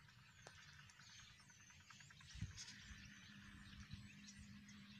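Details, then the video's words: Migrating common starlings in a flock in Pakistan, known locally as tilyar; busy mass of chattering, squeaky chirps and whistles above constant low-pitched background rumble. "Russian Starlings in Pakistan"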